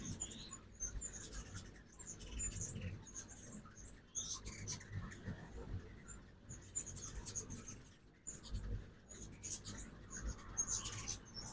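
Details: Ruby-throated hummingbirds at a backyard feeder in Oxford, Mississippi, on a 2024 fall migration morning: scattered, very high, thin squeaky chips and short chatters come and go over a steady low rumble.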